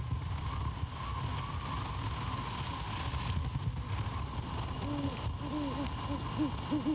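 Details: A great horned owl pair at a Savannah nest cam on 17 January 2022 at 23:10, as the male returns to his mate and they call together: a short run of soft, low, arched hoots over wind rumble and a faint hum.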